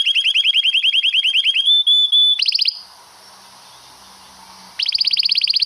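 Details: Canary singing a long rolled song used for song tutoring: rapid trills of repeated upslurred notes that shift to a steadier pitch, then a pause of faint hiss before the quick trill resumes.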